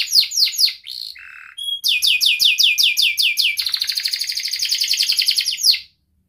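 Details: Singing canary, recorded to stimulate quiet canaries: swept chirps, a short low buzzy note, a pure whistle, then a fast string of sharp chirps running into a rapid rolling trill before stopping.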